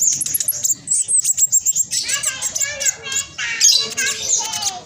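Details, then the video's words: Spotted black sunbird singing energetically as a lure for lazy caged birds: rapid high ticking notes, then a run of lower, rich warbled phrases mixed with thin high whistles. "Blacksunbird trotol gacor prospex cocok buat pancingan burung macet malas bunyi"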